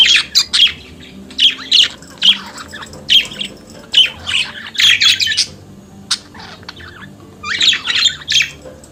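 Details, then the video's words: Pet budgerigar, native to Australia, chattering: short squawky phrases of buzzy chirps repeated about every half second, with gaps of silence and a louder burst near the end. "Periquito Cantando e Conversando Sonidos de Periquito Australiano"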